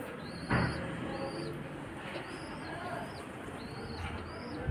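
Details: Pigeon chicks begging and pecking at their mother for food: high, squeaky, arched calls repeated about once a second over steady background noise, with one brief thump.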